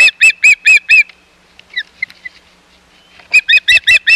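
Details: Osprey at the Hog Island nest, 11 May 2021, as intruding ospreys come near: rapid loud whistled chips, about five in a second, then a pause with softer notes before another fast burst begins.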